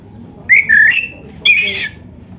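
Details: Oriental magpie-robin (black-breasted kacer) singing in a training recording for caged birds: two clear phrases, a rich whistle sliding downward, then after a short gap a brighter, harsher burst.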